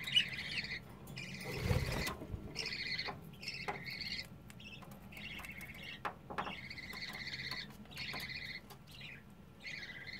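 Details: A 25-day-old budgerigar chick in a cage, restless and climbing out of the nest to run around the cage for three days running, gives short, high chirps in quick bursts with brief pauses between them, and one knock near two seconds.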